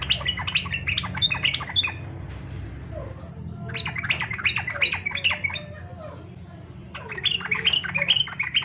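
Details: Fighter-style song of a yellow-vented bulbul, meant to goad other bulbuls into singing: three runs of fast, scratchy, bubbling chatter separated by brief quieter gaps, with a constant low background hum.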